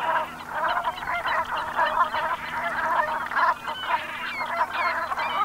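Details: Autumn flock of Brent geese at sunset, Gulf of Morbihan, Brittany, France, 7 November 2021; harsh, croaking calls overlap in pulsing waves, with a few louder individual notes standing out near the end.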